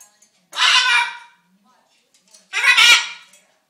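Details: A hungry pet macaw, known for talking and dancing, seeks attention with two loud, harsh, raspy utterances about two seconds apart. Each lasts under a second and is rich in bright, buzzy overtones, with near silence between them.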